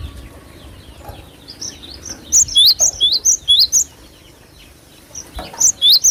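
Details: Cinereous tit singing strongly in a lure recording: soft distant twitters, then a run of about eight sharp, high whistled notes, a pause, and a shorter second run.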